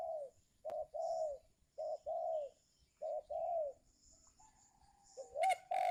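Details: Spotted dove calling to draw in wild birds in the giring season; three paired phrases of a short coo and a longer falling coo, followed by a brief quieter hum and a sharp noise at the end.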